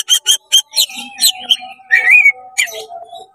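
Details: Oriental magpie-robin with tail spread in fast, energetic song aimed at provoking other magpie-robins: three sharp chips, then warbled notes and a rising whistled slur, above a low continuous hum.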